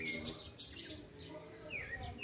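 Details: Sabiá recorded at 5:30 in the afternoon in August 2020, giving short whistled notes and a falling-then-rising whistle near the end, with a steady hiss and a man's voice in the background.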